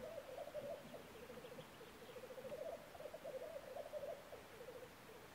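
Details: Black grouse in Norwegian woods in early spring, April 2012, giving a continuous low, dove-like bubbling and cooing that rolls on without a break, with several phrases overlapping.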